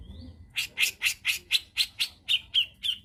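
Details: Brown-cheeked bulbul from Indonesia, recorded as a lure for training caged songbirds: a fast, harsh, rattling run of about ten chattering notes, roughly four per second, turning into clearer whistled ends toward the close.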